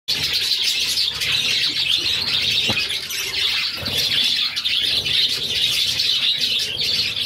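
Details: Budgerigar chicks, six in a nest, being fed by their mother: a dense, continuous high-pitched wash of squealing, chirping begging calls with no gaps, over faint low background noise and an occasional soft click.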